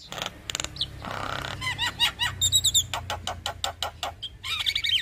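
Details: Male Javan myna in full song, a long rolling performance: a jumble of harsh broadband rasps, a noisy churring burst, then slurred whistled notes and a rapid series of sharp clicks.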